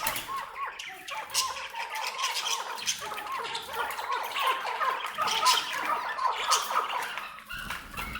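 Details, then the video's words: Chukar partridge calling in a rapid run of short, clucking notes around one pitch, repeated steadily, over a noisy, rustling background. "Pure Maskati Chakor"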